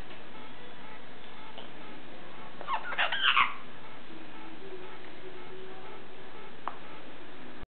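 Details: A pet severe macaw after bath time, having an oatmeal snack, gives one short burst of harsh, raspy chatter lasting under a second, then falls quiet in a small indoor room with a faint background hum.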